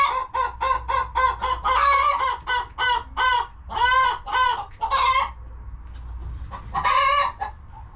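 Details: Homestead hens in a cozy coop cluck in a quick, evenly spaced series, then build into drawn-out, rough, rising-and-falling squawks before a brief quiet spell and one more loud call.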